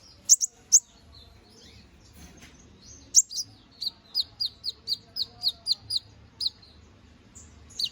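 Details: Canary in 'gacor ngobra' song, a master recording for training magpie robins: a few high sharp notes, a pause, then a steady series of about ten downslurred whistled notes, repeated roughly every third of a second.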